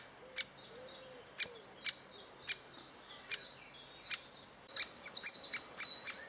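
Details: June 2011 great spotted woodpecker, adults bringing food to chicks: sharp single clicks about every half second, a few soft low hoots early on, and a burst of rustling, high noise near the end.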